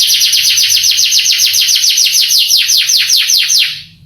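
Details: Canary master song meant to excite young canaries; a rapid, even trill of high downward-sweeping notes running about three and a half seconds before fading out.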